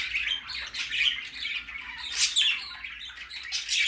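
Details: Young budgerigar on its first outing, chattering in quick high chirps and short scratchy squawks, bursts peaking roughly every second, with a steady low hum in the room.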